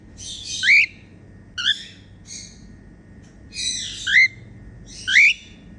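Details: A female cockatiel singing happily gives five short upward-sweeping whistles at roughly one-second intervals, several wrapped in scratchy buzzy chatter, against a faint background hum.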